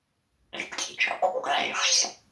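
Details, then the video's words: Pet parrot indoors in a small room, talking at a cat, uttering a rapid run of humanlike speech syllables for about two seconds, with wordlike bursts and breathy sounds. "Попугай матерится на кота"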